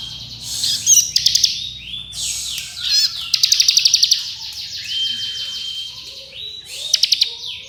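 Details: Bar-winged prinia's rapid drilling trills, offered as master audio for training songbirds: dense continuous buzzing and level whistles, broken by short bursts of fast stuttered pulses, with overlapping song throughout.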